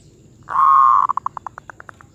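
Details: Zebra dove with a medium-pitched voice: one loud, steady, drawn-out note lasting about half a second, then a string of about ten short staccato notes that gradually space out, over quiet low background hum.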